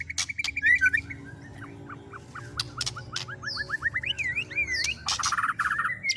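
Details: White-rumped shama song carrying fillings of speed cililin, canary and lovebird; a series of short upward whistles, then zigzag warbled notes and a dense burst, over constant low background hum.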